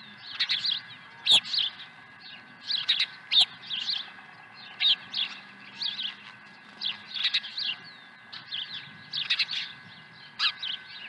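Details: At a Dunrovin Ranch nest on 23 April 2020, an osprey arriving with a second fish gives high, piercing chirps in short clustered bursts, repeated roughly every couple of seconds.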